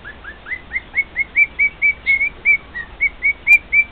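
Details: A male cockatiel sings for two other cockatiels, giving upward-sweeping whistles that settle into loud, flat whistled notes repeated about four times a second.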